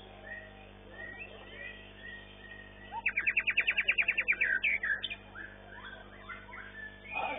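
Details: At a bird-singing competition, a long-tailed White-rumped Shama, class winner of session 9, bursts into a rapid buzzy trill of about twelve notes, then chips, amid quieter chatter of other contest birds.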